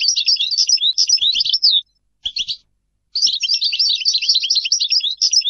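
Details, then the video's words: European goldfinch song in lively bursts: a jangling twitter, a short chirp after a pause, then a longer stream of bright, fast, varied notes. "Goldfinch singing - canto del cardellino"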